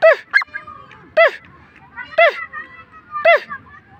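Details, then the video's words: Francolin calling: loud, harsh, stacked notes that slide downward, given in separate bursts about once a second, with a double note at the start and quiet background between calls. "Teetar ki awaz/ Teetar sound/Teetar voice/ Teetar ki boli"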